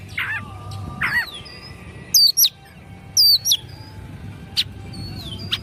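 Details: Oriental magpie-robin singing excitedly, tail fanned open: buzzy notes, then loud looping whistles repeated twice, a sliding whistle and sharp clicks, with a continuous low hum behind.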